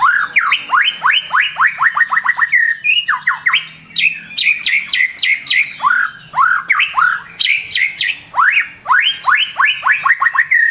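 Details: White-rumped shama singing vigorously in the morning: long fast runs of rising whistled notes, varied into rolling phrases and bursts, nearly continuous for ten seconds.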